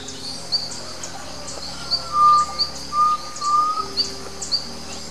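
Undulated tinamou giving long, mellow, slightly tremulous whistles, two drawn-out notes in a row, over high, thin chirps from insects or other birds.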